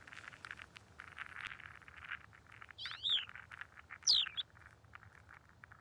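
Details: Tibetan lark in Ladakh giving two clear, sharply inflected whistled notes about a second apart, over steady high rustling or pattering background noise.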